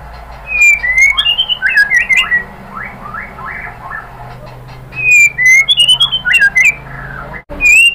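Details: White-rumped shama singing a lure song packed with borrowed phrases: clear sliding whistles, a softer stretch of fainter notes, then renewed bright whistles repeated several times.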